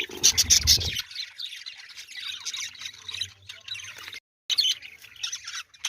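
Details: Budgerigars in a breeding colony with nests chatter in a dense flock, a constant mix of high squeaky chirps and warbles.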